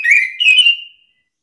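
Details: Orange-headed thrush (anis kembang) responding angrily to another bird's song. Two slurred whistled notes, the second higher and longer, fade away into silence.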